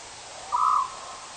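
A single harsh, mid-pitched bird call, caw-like and about a third of a second long, over a faint steady hiss.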